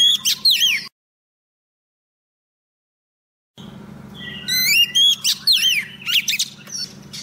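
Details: Decoy female Oriental magpie-robin singing to lure a male for trapping: a short burst of sweeping whistles, a silent gap, then a longer run of sharp rising and dropping whistled notes over a constant low hum.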